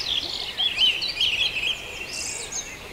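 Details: Short stretch of dawn chorus at Farndale: tangled high chirps and warbling from several birds blend together, with a brief hissy high burst near the end.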